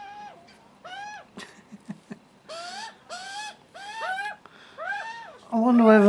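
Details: Screaming hungry young Australian magpies begging on a first visit, watched by a cautious adult male: repeated arched harsh calls, some overlapping, with clicks early on and a louder, differently pitched sound at the end.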